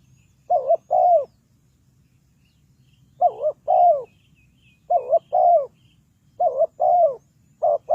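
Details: Spotted dove serving as a lure for trapping wild birds. It repeats paired coos, a short warbling note then a longer slurred coo, in five phrases separated by irregular pauses, over a faint low hum.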